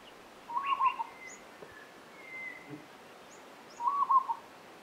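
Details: At Monarto Woodlands, South Australia, 26 July 2020, a peaceful dove gives two brief lilting coo phrases about three seconds apart. Faint higher chirps from other birds are heard between them.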